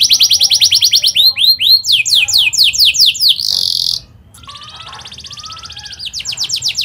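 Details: A canary sings rapid, bright rolling trills of fast repeated notes, switching between high buzzy tours and sweeping chirps with hardly a pause. The song is offered as a lure or tutor for young canaries learning to sing.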